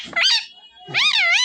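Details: Green ringneck parrot, a pet Mitthu parrot, gives two loud, harsh, wavering squawks with rich harmonics, the second longer with a dipping and rising pitch, separated by a short pause; people laughing and talking in Hindi nearby.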